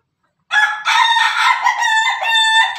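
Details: Loud Pelung chicken crow starting after half a second of silence, one long continuous harmonic call with a slight break and a wavering, then steady tone to the end.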